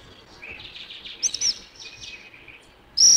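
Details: A black phoebe at Alto San Miguel gives a few sharp, high chip notes, the loudest at the very end, over a faint background of other bird twitters.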